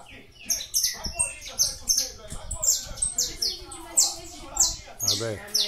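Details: Captive saffron finch, called canário da terra, from a breeder's aviary, performing figurando song: a rapid string of shrill descending chirps repeated about twice per second, over light low background noise and a brief rumble near the end.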